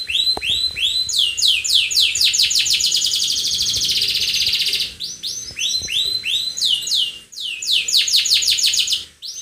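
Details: Energetic canary song, described as attacking, built from fast repeated rising sweeps that merge into a dense buzzy trill, then resume as quick swept phrases with short breaks, loud and continuous throughout.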